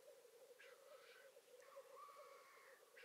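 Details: Osprey on its first morning visit to a nest in Satakunta, Finland, on 19 April 2019, filmed by a nest camera; thin whistled calls with rising and falling slurs over a steady, pulsing low hum.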